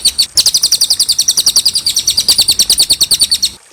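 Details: Clear cililin song for tutoring other birds: a long unbroken run of rapid, high, sharp trilled notes, about eight per second, steady in pitch and loudness, over faint background hiss.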